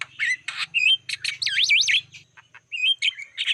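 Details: Black-winged starling lure song for attracting wild birds: scratchy squawks, then a run of looping up-and-down whistled notes, a short pause, and more chirps, with a steady low hum underneath.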